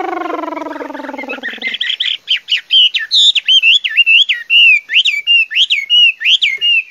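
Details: Chinese hwamei song: after a low, buzzy, harmonic drone fades out, the bird repeats clear whistled phrases, each with a sharp rising and falling twist, at a brisk, fairly steady pace.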